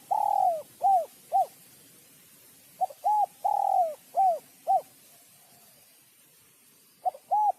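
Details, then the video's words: Sấm chuông style coos of a spotted dove, intended to excite males and females; repeated rounded notes with drawn-out falling coos over a steady faint hiss, about two phrases. "Tiếng chim cu gáy sấm chuông cực chất cực hay kích trống kích mái kích bổi"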